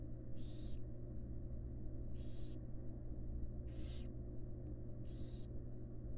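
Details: Female barn owl tending fledglings in a wild nest box: four rasping, airy screeches, each roughly half a second, repeating about every one and a half seconds against constant low hum.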